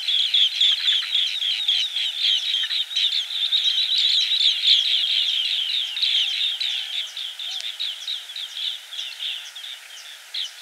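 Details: Green bee-eaters in a dense, continuous chatter of high trilled notes, repeated about four times a second and overlapping, loudest in the middle and thinning toward the end, with faint hiss beneath.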